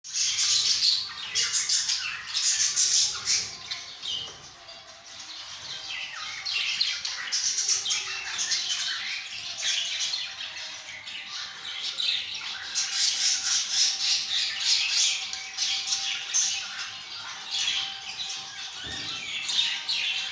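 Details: Budgerigars in a 10-pair colony breeding setup where two chicks have hatched chatter continuously, with overlapping high squawks, chirps and warbled notes.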